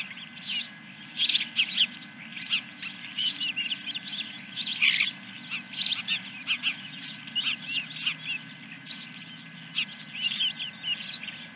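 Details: At a ranch nest on 10 July 2021, morning, first fish, an osprey gives a long series of sharp high chirps, loosely repeated roughly twice a second, over a low steady hum.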